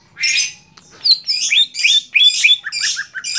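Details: Competition greater green leafbird in song, rich harsh chattering phrases mixed with bright rising whistles, delivered in a rapid continuous run.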